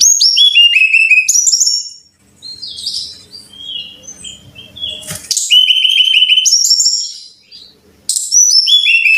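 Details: Brown-chested jungle flycatcher song used as a lure recording to prompt caged birds to sing often: bright whistled notes sliding downward from high to lower pitch, packed into rapid cascading series, with a short quiet gap and a faint low hum between bursts.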